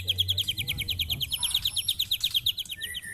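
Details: White-rumped shama matched against neighbours' birds, pouring out a fast, steady string of high chattering notes for three seconds, with a few thin whistles above and a low hum beneath.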